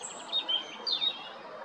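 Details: European robin, Jarun, Zagreb, Croatia, 13 April 2022: short high sliding notes in two pairs, each pair a quick downward-swooping whistle, against soft background noise.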